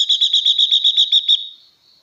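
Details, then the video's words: Female blue-winged leafbird singing to excite males: a loud, fast run of about ten sharp, buzzy repeated notes over roughly a second and a half, fading into a steady high whine that persists behind it. "Tiếng Chim Ngũ Sắc Mái Hót Siêu Kích Trống Nhanh Căng Lửa"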